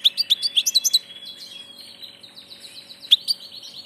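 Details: A migrant passage goldfinch starts with a quick run of sharp, high tinkling notes, then drops to a softer buzzy warble, followed by a final bright chirp.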